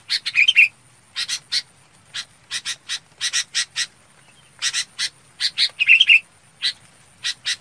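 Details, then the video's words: Red-whiskered bulbul calling the flock opens and later repeats a bubbling, whistled warble, between them a lively stream of coarse paired chirps at uneven intervals, a quiet high tone in the background. "Tiếng Chào Mào Bông gọi bầy"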